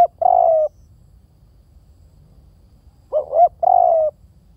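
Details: Spotted dove giving two cooing phrases about three seconds apart, each a short throaty double note followed by a longer, steady, slightly falling coo, over a quiet low rumble.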